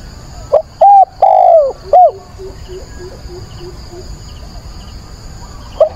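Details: Spotted dove kept as a decoy, cooing at dawn on 22 October to call in wild doves. One four-part phrase of mellow coos, the third long and falling, followed by soft rhythmic insect chirps.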